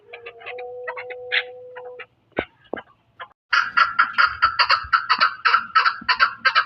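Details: Chukar partridge (chakor) in Pakistan: after scattered scratchy notes and a brief pause, a fast, steady run of rasping chuck notes repeats nearly three times a second, with a low hum underneath.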